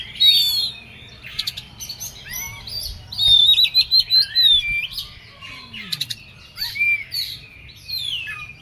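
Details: Oriental magpie-robin singing in an agitated, emotional state: loud, varied high whistles, rapid chattering trills and buzzy notes in quick bursts, with sliding whistled phrases and a faint low hum beneath.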